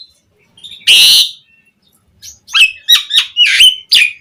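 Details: Asian pied starling singing, meant to provoke other starlings to sing: one loud harsh rasping burst, a pause, then a series of short sharp whistled chirps in quick succession.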